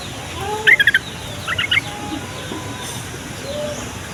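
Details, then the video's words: Yellow-vented bulbul singing as a lure to make other bulbuls answer. Two brief bubbly phrases of rapid chirping notes, the second softer, spaced about a second apart over steady background hiss. "SUARA TRUCUKAN INI BIKIN TRUCUK PAUD DAN OMBYOKAN LANGSUNG NYAUT"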